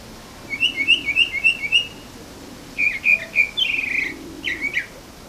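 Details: Morning bird song: a quick series of short twittering notes, a brief pause, then a louder burst of slurred and trilled phrases, with faint background hum.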